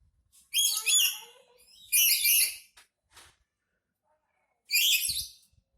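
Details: Black-capped lory, a kept bird said to be angry, giving three loud, harsh, rasping screeches, the first two close together and the third after a pause of about two seconds, in an otherwise quiet room.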